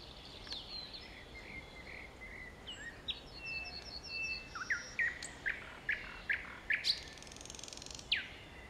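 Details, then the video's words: Thrush nightingale in song at Kiili, evening of 15 May 2017 just before 20:00. Soft whistles and a ticking rattle open, then loud, emphatic, regularly spaced sharp notes, about one every half second, under faint background hiss. "Ööbik Kiilis laulmas"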